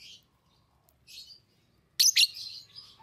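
Fischer's lovebird giving shrill, harsh chirps: two faint ones, then a loud double screech followed by a trailing chatter.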